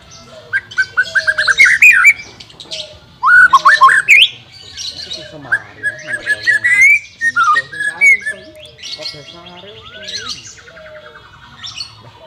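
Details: White-rumped shama song used to train a bird reluctant to sing: a varied run of loud whistled phrases, some rising and sweeping, others rapid chattering bursts, with short pauses between and faint background hum.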